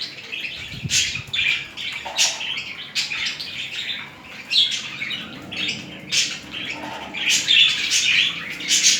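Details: Budgerigar pair in mating display: lively, scratchy chatter with sharp chirps and short squawks in irregular clusters. The chatter is sustained through the whole stretch and peaks in loudness several times.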